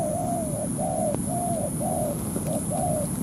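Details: Decoy spotted dove in a ground trap calling a wild dove into a territorial fight; six rounded, slightly falling coos about half a second apart, with a faint click and a continuous high-pitched whine.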